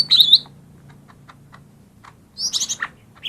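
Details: Lesser green leafbird song played to stir lazy birds into singing: a short bright whistled burst, a quiet gap with faint clicks over a low hum, then a dense chattering phrase of high notes.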